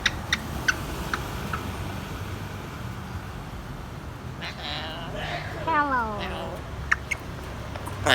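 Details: A male grey parrot, praised as a good boy, says one drawn-out, falling "hello" to his owner in a clear, human-like voice. A few sharp clicks and taps come before and after.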